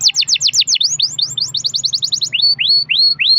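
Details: Canary singing a long-roll (rol panjang) lure song meant to make other canaries sing: quick downslurred notes, then a fast even trill, then slower upswept whistles about three a second.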